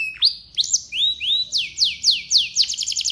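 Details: Canary in loud continuous song, said to make other canaries start singing: bright rising and falling whistled sweeps repeated about four times a second, ending in a fast high trill.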